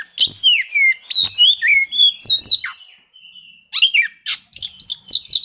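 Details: Rival-seeking song of an Oriental magpie-robin, used to coax silent birds into singing; fast series of loud sweeping whistles and warbles, a brief lull, then another rapid burst of bright varied notes.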